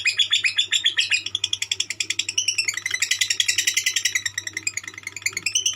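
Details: Lovebird in konslet song, a dense run of fast, harsh chattering notes, each pulse sharp and buzzy, the pitch swooping down and climbing again mid-phrase, with a constant low electrical hum beneath.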